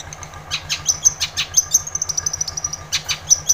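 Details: Long-tailed shrike singing to trigger song in a silent shrike, a rapid chattering run of clicks and high thin whistles, busy and uneven, with a faint mechanical hum underneath.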